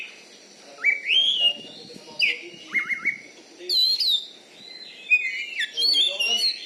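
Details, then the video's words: Champion Oriental magpie-robin (kacer) from Bengkulu, Indonesia, a kept competition bird noted for its loud voice and fighting style, sings clear slurred whistles that rise and fall, in separate rich phrases, over faint background murmur. "BURUNG KACER JUARA DI BENGKULU"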